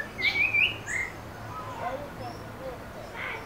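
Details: Pale-breasted thrush (sabiá-do-barranco) singing in Brasilia, Brazil: a short burst of clear, warbled whistles near the start, then quieter scattered notes against a soft background.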